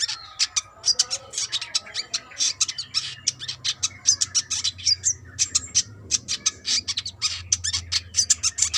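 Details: Brown-throated sunbird, a female calling the male, in a lively burst of rapid high, sharp chirps and twittering notes, densely repeated with brief gaps across the whole stretch.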